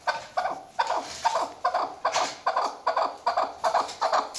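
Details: Female chukar partridge, used as a hunting sound, giving loud, close, harsh clucking notes in a rapid series of about two and a half per second, each note rough and buzzy.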